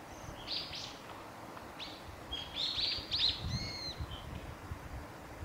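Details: Japanese waxwings in Hadano, Kanagawa, Japan, 13 February 2021, giving several high, thin, buzzy trilled calls, some overlapping as if from more than one bird, with faint low rustling and background hum.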